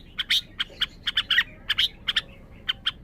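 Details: Red-whiskered bulbul producing spaced single and double bright chirps, about a dozen in three seconds, clean and high-pitched over a quiet background.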